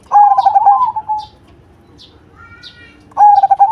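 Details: Zebra dove, cemani variety, noted for a big voice: a bubbling coo phrase fades out, a quiet gap follows with a faint thin tone and distant high chirps, then the coo phrase starts again.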